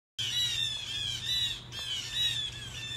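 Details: Blue jays gathered loudly in a tree, giving a continuous stream of harsh, overlapping squawking calls with bright, slightly descending harmonic notes; a steady low hum runs underneath.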